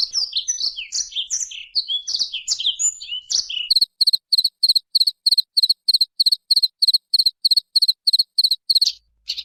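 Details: Oriental white-eye (pleci) training song: quick, varied high twittering chirps, then a long steady series of identical sharp high buzzy notes repeated about three times a second.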